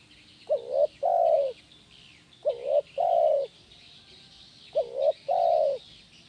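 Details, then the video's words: Spotted dove in lively 'kuk 1' song, used as training audio for doves: three phrases roughly every two seconds, each a brief upward note followed by a drawn-out mellow coo, with soft high-pitched twittering in the background. "SUARA BURUNG TEKUKUR KUK 1 GACOR"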